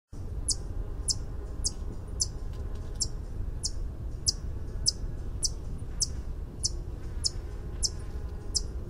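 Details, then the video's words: White-eared hummingbird singing: a steady series of short, high, sharp ticking notes repeated roughly every half second, over a constant low rumbling background. "Song of the White eared Hummingbird (Canto del orecchiuto bianco Uccello di ronzio)"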